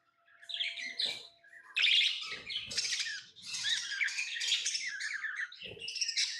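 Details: Pet lovebirds build from a soft start into busy, shrill chattering, with rapid squeaks and harsh chirps layered almost continuously, plus occasional low knocks.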